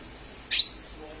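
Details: Lesser green leafbird calling, a sound used as a lure: one short, harsh, high burst lasting about a quarter second, with a faint low murmur afterwards.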